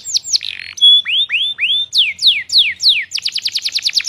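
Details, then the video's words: Singing canary with varied phrases: a few short notes, a pure held whistle, rising swoops, then loud descending slurs and a closing burst of rapid, clipped notes. "Kompilasi Masteran Kenari Gacor panjang full isian"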